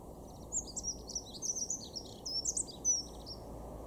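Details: Dunnock (Prunella modularis) singing in a garden in Weener, East Frisia, far northwest Germany, in March 2023: a quick, high, scratchy warbling jingle lasting about three seconds, over a steady low background rumble.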